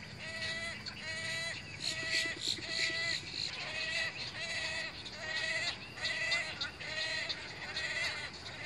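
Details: Wood storks at a nesting colony, filmed through displays, nest building, mating, incubation and the growth of chicks to fledging; nasal, bleat-like calls with strong harmonics, repeated roughly every 0.7 seconds over a steady hiss of background noise.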